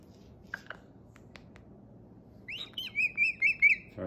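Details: Pet cockatoo after a spoken hello: a burst of five or six quick, high whistled chirps in fast succession following a quiet stretch with faint taps.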